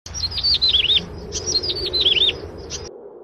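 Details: An albino yellow-bellied prinia (Prinia flaviventris) giving two quick bursts of high, wavering, swooping chirps, then a single short note, over a faint low hum.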